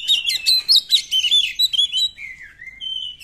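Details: Song of an Oriental magpie-robin in 'nembak' style, meant to stir other magpie-robins to sing: a quick, varied tumble of sweet whistles and chirps, ending in a drawn-out falling then rising whistle.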